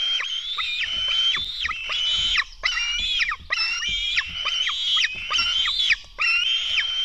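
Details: Black stork nestlings at a nest in Latvia during a feeding at 04:53 on 24 June 2016: loud, hoarse, wheezy harmonic cries, each about half a second long, repeated in rapid succession with brief gaps.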